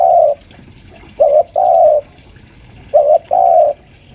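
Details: Spotted dove lure bird about five years old, caged at home and pressing a rival; a long coo, then two phrases of a short note followed by a longer mellow coo, separated by quiet gaps.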